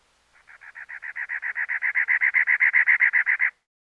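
A cactus wren gives a harsh, chugging series of about twenty raspy notes, swelling in loudness over three seconds, with no other sounds.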